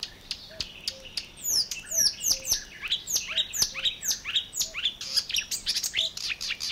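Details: Marsh Warbler recorded in 1979 in Matsalu's water-meadows and coastal pastures, USSR: quick series of high, downward-sweeping chirps and twitters, varied and continuous, over faint low soft whistled notes in the background.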